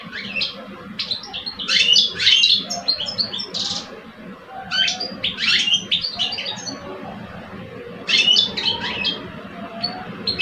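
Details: Competitive singing by two caged male European goldfinches in Algeria, an old adult and a two-year-old. Three separate outbursts of fast jingling, buzzy twitter, each a few seconds long, divided by quieter spells with faint hum.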